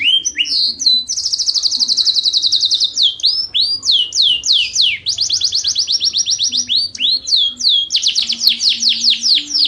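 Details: Caged Yorkshire canary singing a long song used to train competition birds; rapid trills of repeated buzzy notes alternate with loud descending whistled sweeps, rolling continuously with brief pauses, bright and high, little background noise.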